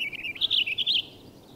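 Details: Young first-year male Purple Finch singing from the top of a Douglas fir in spring at Peavy Arboretum and McDonald Forest, Coast Range foothills: a brief, bubbly, rising warble of quick slurred notes lasting about one second.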